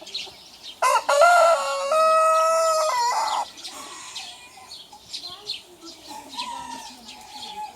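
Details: Rooster crowing in a small-versus-big rooster challenge, a troublemaker bird intent on challenging or mating: one loud, harmonic crow of about two and a half seconds with a long level middle, then quieter clucks and faint chirps from other birds.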